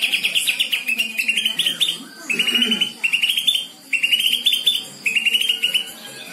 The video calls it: Cucak ijo mana yang gang langsung trek dengerin ini